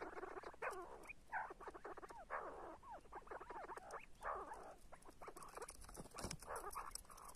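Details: Chattering see-see partridge calls, with dense overlapping bursts of bent whistled notes repeated through the recording and occasional sharp clicks in the background.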